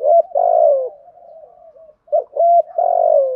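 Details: Spotted dove decoy with a thổ bầu style voice. Strong, long, slightly buzzy falling coos are linked by soft continuous cooing, then a clipped short note and another long, drawn-out coo, all steady and clear.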